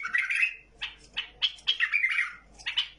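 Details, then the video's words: Brief burst from a tamed bulbul: a rich warbled opening phrase, then four or five sharp, fluty notes in quick succession and a last bright whistle. "بلبل مطوعه بدون اي غلط"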